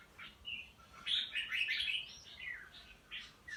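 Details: Pied Red-whiskered bulbul in a cage, in combative singing mood. A short burst of loud, bright, slurred whistles and chatter over a constant hiss of background noise.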